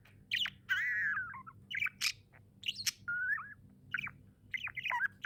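Budgerigars chirping in a rapid, varied stream of squeaky whistles, warbles and sharp clicks.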